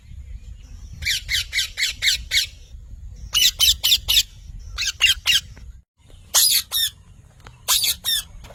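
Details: Parrot giving harsh, buzzy squawks in rapid bursts of four to six notes, about four per second, with pauses between groups; a low background rumble runs throughout.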